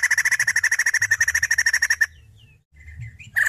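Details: Steady fast rattle from a female white-crested laughingthrush, evenly spaced harsh pulses for two seconds, a few thin faint notes in the pause, then the rattle starts again.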